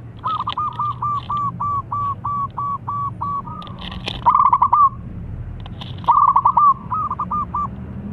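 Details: Local zebra dove in lively, very long song, used to prompt birds still reluctant to sing; a run of about a dozen short, evenly spaced cooing notes, then quick stuttering trilled coo bursts, over a low background rumble.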